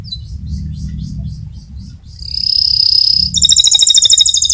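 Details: Fighter-type canary giving a rolling song used as a master recording for training other canaries; soft high chips, then a sustained buzzy trill, then a loud rapid rolling trill, over low background rumble.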